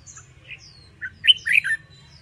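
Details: Red-whiskered bulbul competition song for training: scattered soft chirps, then a lively phrase of bubbling, slurred whistles climbing and dropping quickly, with faint high twittering from other birds around it.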